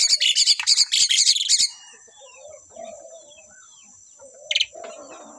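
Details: Two Asian pied starlings in full voice. A dense, rapid run of grating, high chatter fills the first second and a half. Soft, low warbled notes follow, then one short, sharp squeaky burst, over a constant thin whine.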